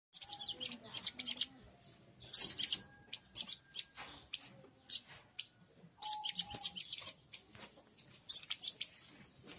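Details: Local Oriental white-eye giving a fierce-sounding call used to lure wild white-eyes: sharp, very high chirps in quick clustered bursts, spaced by short pauses, with a faint steady lower whistle in between.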